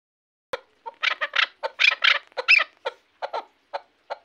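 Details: Chukar partridge from Shahritus, Tajikistan, kept as a hunting bird: a short burst of harsh, clucking chuck notes that quicken into a dense cluster, then slow into spaced single notes.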